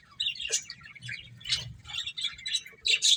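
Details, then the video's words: Scattered short, high chirps and squeaks from playing finches, sparse at first and growing louder toward the end. "Beautiful Birds Chirping Sounds | Cute Finches Playing"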